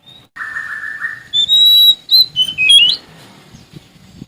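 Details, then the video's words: Sumatran Oriental magpie-robin singing vigorously to challenge a rival: a long buzzy band of notes, then clear high whistles, some rising or slurred, packed into a two-second phrase that fades into quiet. "Suara Asli Kacer Sumatra Gacor Cari Lawan"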